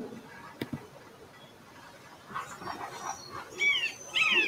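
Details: Red-shouldered hawk (Buteo lineatus), scream: protecting territory or reacting to crows.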